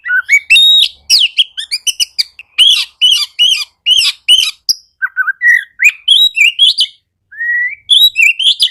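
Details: Singing Oriental magpie-robin, used as a lure for quiet birds: a rapid, rich stream of high chirps, slurred whistles and buzzy notes. Near the end comes a clear rising whistle, then more chatter.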